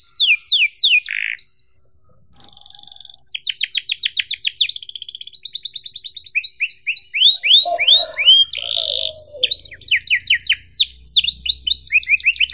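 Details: Long, continuous canary tutor song for teaching young birds, 'cuit cuit' style: fast repeated descending whistles, buzzy rolled trills and sharp rising chirps in quick succession, briefly pausing after a few seconds, with a faint low rumble in the background later.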